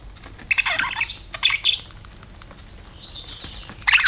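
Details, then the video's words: Budgie chirps in a brief warbled burst early on, followed by a long thin high whistle-like tone and a final sharp chirp. "BUDGIES CHIRPING SOUND"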